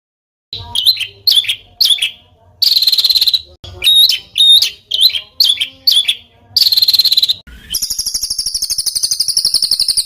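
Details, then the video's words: Bird song meant for training fighter songbirds: scratchy looping whistles and bursts of harsh buzzing, repeated in short phrases, then a long rapid high trill to the end. "ROLL RAPAT KASARAN || TEMBAKAN Kasar Untuk BURUNG FIGHTER"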